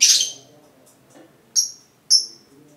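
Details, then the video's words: A lovebird gives three shrill, high chirps, one loud at the start and two more about half a second apart near the end; a sound meant to lure a pet lovebird into singing at night. "Cara memancing suara merdu burung love bird"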